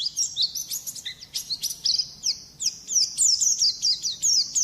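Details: Training song of a white-eye for teaching songbirds: continuous high-pitched chattering twitter with rapid sharp chips and looping whistled slurs, delivered in fast overlapping bursts without long pauses.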